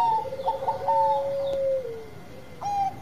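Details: Zebra dove of the Bangkok type, singing actively: a few short clipped notes near the start, then a long smooth coo that holds steady and slides slightly downward, with a brief higher phrase near the end.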